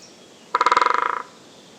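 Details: A great spotted woodpecker drums in early spring, on a cold morning at a sunny treetop. It gives a single fast roll of about fifteen woody strokes in under a second, loud at first then fading. Drumming attracts females and stakes out territory.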